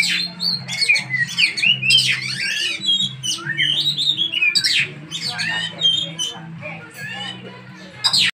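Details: Oriental magpie-robin, kept bird, training with another magpie-robin, sings a varied string of sharp sweeping whistles, harsh squeaks and rapid chattering phrases, over a steady low droning hum.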